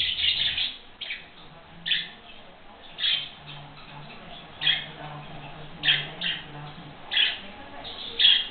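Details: Young pet budgerigars, kept about five weeks, give short high squawks and chirps in bursts every second or so, recorded on an old digital camera with a radio and faint background voices.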